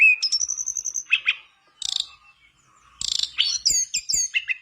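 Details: Mangrove blue flycatcher singing vigorously to encourage other birds to sing along: a sustained high whistle, short chirped clusters, a buzzy burst, then a fast jumble of bright hooked notes and falling whistles.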